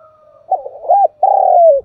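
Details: Spotted dove kept as a decoy, calling to lure wild doves: soft low notes rising into an arched coo, then a long buzzy drawn-out coo falling at the end.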